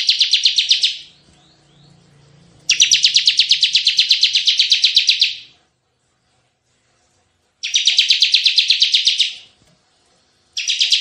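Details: Bar-winged prinia singing in the energetic 'ciblek gacor' tembakan style, used as lure and tutor audio: three dense, buzzy rattling trills of rapid pulses, lasting one to two and a half seconds, with quiet gaps between.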